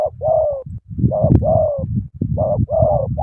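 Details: Spotted dove from Cà Mau in an eager cooing run: a clipped note then a long, gently falling coo, repeated about three times against a steady low rumbling background.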